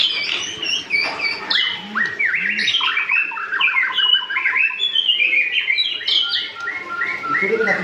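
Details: Young white-rumped shama, just learning to sing yet already singing energetically: a dense run of whistled, rapidly shifting notes and slurred phrases, with repeated chirps tumbling up and down in pitch; a low steady hum underneath.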